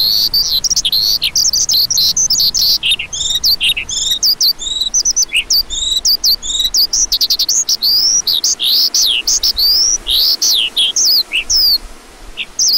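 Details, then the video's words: Lark calling: a dense, continuous stream of high, varied chirps, sweeps and trills, some notes rising and others falling, with barely any pause over about thirteen seconds. "Lark Calling Sound"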